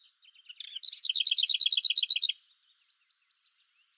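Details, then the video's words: A lesser whitethroat gives a brief twittering warble, then a loud, fast rattle of roughly twelve even notes, followed by quiet thin high notes of other birds. "Как поёт славка-мельничек (Славка-завирушка)"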